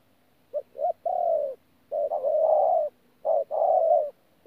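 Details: Spotted dove calling in the 'thổ pha gù' manner at Tu Mơ Rông, 14 January 2019, wild-caught bird: a double short note leading into drawn-out mellow coos, one stretched and wavering, a soft steady hum underneath.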